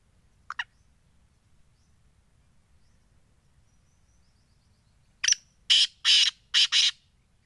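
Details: Black francolin: a faint double note early on, then a loud rasping phrase of five grating bursts in quick succession, each strident and high, on a quiet background.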